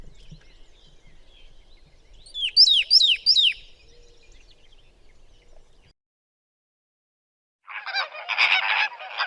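Flamingo calls: three quick, nasal, goose-like honks, each sliding sharply down in pitch. After a short silence comes a harsh, buzzy chattering burst.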